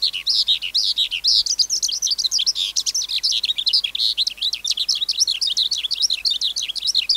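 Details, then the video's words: Wild-caught skylark in song, a recording meant for tutoring young caged skylarks: an unbroken, rapid, high chattering warble of dense buzzy trills and twittering notes pouring out without pauses. "Sơn Ca Bổi Hót Giọng Cực Hay"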